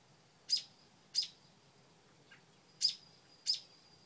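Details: Mother bird on a nest with new babies on a front porch, yelling at a dog: sharp, harsh chip calls, four loud notes about a second apart, with one faint lower note between.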